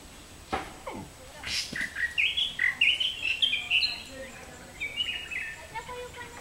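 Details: Asian fairy-bluebird giving a quick run of sharp, liquid whistled notes, roughly two or three per second, followed by softer, lower notes, with faint clicks and rustling at the start.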